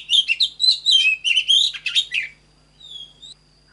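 An Oriental magpie-robin sings a fast, rich run of varied whistles and chattering notes, then trails off into a few soft, thin whistles.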